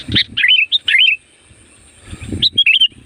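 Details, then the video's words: Sooty-headed bulbul (kutilang) singing loudly as a lure for wild bulbuls: several rapid, bubbly whistled phrases with rising and falling notes, a short pause, then another burst of warbles. "SUARA BURUNG CUKUP AMPUH UNTUK PANGGILAN KUTILANG LIAR"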